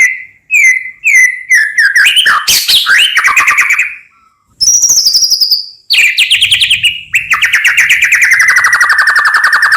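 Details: White-rumped shama song meant to stir other shamas into answering: repeated sharp notes build into a dense rattling burst, then long descending whistles and a sustained rich warbling phrase.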